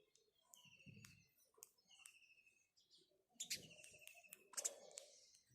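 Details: House sparrow chirps: buzzy, trilled notes given in small groups, getting busier toward the end, with soft low rustling underneath.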